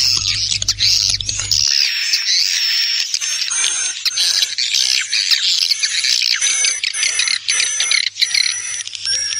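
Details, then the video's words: A lure sound of swiftlets with wing flapping, meant to draw swiftlets in: a continuous mass of shrill twittering chirps over a constant thin high tone, with a low hum at the start. "Suara panggil walet || kepakan sayap"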